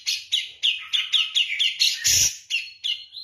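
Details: 'Kapas tembak' style song from a persistent Javan grey-cheeked bulbul: crisp downslurred whistles, about three per second, broken by one harsh, noisy burst.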